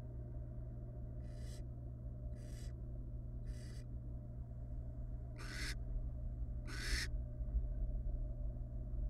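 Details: Five breathy hisses from a wild barn owl family resting in a nest box, three softer ones about a second apart followed by two louder ones, above a steady low hum.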